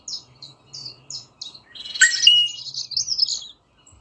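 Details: Rosella producing several quick, high chirps, then a loud, harsh, rasping burst that runs into a buzzy, warbling chatter.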